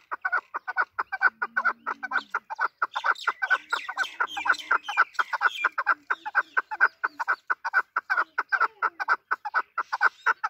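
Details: Hunting (shekari) desi chukar partridge giving a long, dense run of harsh clucking notes, about two per second, overlapping and uneven, steady throughout the ten seconds with no other sounds.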